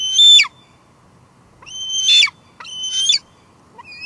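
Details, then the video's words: A female bald eagle squees at her Two Harbors nest, recorded by a live cam on 24 July 2022. There are three drawn-out, thin whistled squeals with buzzy endings, then the start of a fourth. "Two Harbors Bald eagles; Lancer's got a lot to say tonight"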